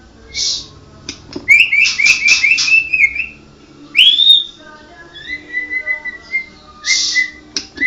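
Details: White-rumped shama of the Medan 'blorok' (mottled) type singing: clear whistled phrases, a fast trill of rising notes, a bright upslurred whistle, then a long level whistle and sharp high notes, over a faint steady low hum.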